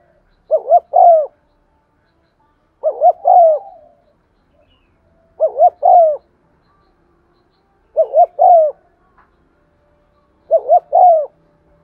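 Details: Spotted dove lure bird cooing to excite other doves, 'giọng son' style: five clean, evenly spaced low phrases, roughly every two and a half seconds, each double coo plus a long falling coo, silence between.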